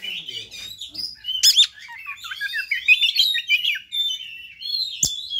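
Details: Provocative fighter song of an Oriental magpie-robin, meant to stir other birds of its kind: fast varied whistles, upward and downward slurs and a bright burst around midway, with a sharp knock near the end.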